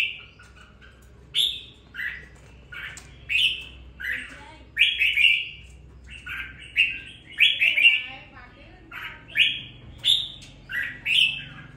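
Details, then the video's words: Caged red-whiskered bulbul, newly bought and kept for two weeks, beginning to sing with some fire: short bright warbled phrases, rising then falling, delivered in bursts about every second, with brief pauses between and a quiet room-noise background. "Đánh liều mua con chào mào chỉ chọn bóng bộ ,sau 2 tuần nuôi dưỡng em nó đã ra giọng có chút lửa"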